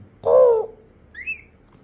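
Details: Pet parrot copying a crow's call when coaxed in Bengali: one strong, nasal caw sliding downward, followed by a brief, faint higher squeak.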